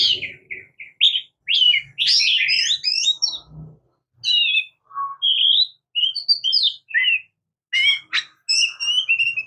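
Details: Varied song of an Oriental magpie-robin (murai kampung, kacer): rapid chattering bursts at first, then separate whistled notes and short trills, several rising or falling, with brief gaps and a faint low rumble in the background.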